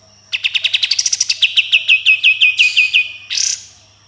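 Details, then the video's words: Sooty-headed bulbul in energetic 'tembakan' song with rough 'besetan'. Rapid whistled notes accelerate and then steady into a long regular series of downslurred chips, ending with a harsh hissing rasp. "Kapas Tembak Gacor Full Tembakan dan Besetan Kasar"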